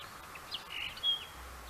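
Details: Common linnet singing: a brief run of quick, thin twittering notes and a short clear whistle over steady background noise.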